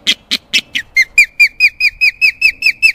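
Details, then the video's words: Osprey with an amputated wing, kept at Carolina Raptor Center, growing loud on seeing people: a fast run of a dozen clear, whistled chirps, each slurring downward, the first few harsher before settling into an even, ringing series. "He gets very loud whenever he sees people."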